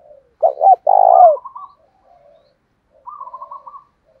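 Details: Spotted dove used as a decoy, calling thúc đấu rút bổi: two quick hoots and one long purring coo. A softer stuttering coo from a second dove follows twice.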